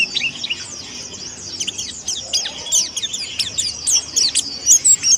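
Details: Indonesian white-eye, white-breasted pleci monty type, a young bird practising song. Thin high chirps run quickly and unevenly, becoming louder and sharper near the close.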